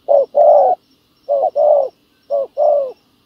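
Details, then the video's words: Spotted dove coos while a decoy bird lures a wild field dove. Three clear pairs follow, each a quick low note and then a fuller, longer coo, with pauses of about a second between pairs. "bẩy cu gáy mồi đất hay..gặp bổi đồng gù khá tốt"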